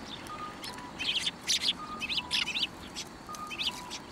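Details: Sparrows at a Tenmangu shrine, 1 January 2024, hopping onto a hand to be fed, give short bright chirps in small clusters of two or three, over a faint steady tonal note that recurs behind them.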